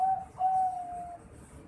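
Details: Juvenile zebra dove, a Bangkok-type perkutut about 4.5 months old: two clear, steady, tonal notes at the same pitch. A short first note, a brief pause, then a longer held note, in a quiet small room.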